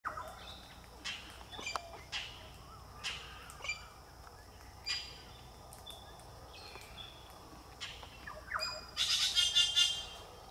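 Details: A bunch of Galahs on a parking lot at Berry Springs Nature Park, Northern Territory, Australia, on 10 December 2023, giving scattered harsh, broadband chet-like squawks every second or so, ending in a dense burst of overlapping screechy calls.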